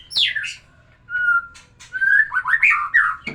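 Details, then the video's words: Shama song played to stir a female into breeding condition: sharp descending notes, a clear steady whistle near the middle, then a rapid run of warbled, slurred phrases with harsh clicks. "terapi kicauan murai batu biar pancing birahi betina"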